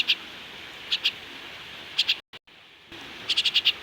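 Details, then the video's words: High, sharp chirps from a pet myna learning to talk, spaced singly and in pairs, then a fast burst of five near the end; a brief gap breaks the sound midway. "মিঠু এখন কোথা শেখার চেষ্টায় আছে শালিক পাখি"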